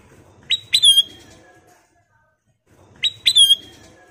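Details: Golden-coloured bulbul (kutilang emas) lure song (pancingan) to set other birds singing: the same crisp whistled phrase twice, a sharp upward note then a fluty downward slur, with about two seconds between them.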